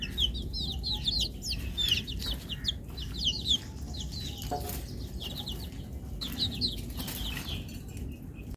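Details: Domestic chicken chicks at feeding time: many thin, high peeping chirps in quick clustered bursts, some sliding downward, with short pauses between bursts, over a steady low rumbling background and a few soft knocks.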